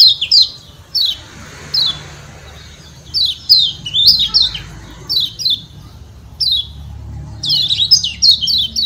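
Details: Kecial kuning, the Lombok yellow white-eye, calling 'ciak ciak' to goad other birds into replying: bright high falling chirps, single at first, then tight clusters of three or four, with a soft low-frequency hum throughout.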